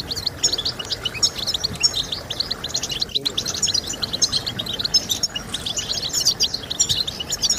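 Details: Singing European goldfinch, used to prompt other goldfinches to sing: busy, high-pitched twitter of chirps and sharp whistled notes, continuous throughout, with a brief click near the middle.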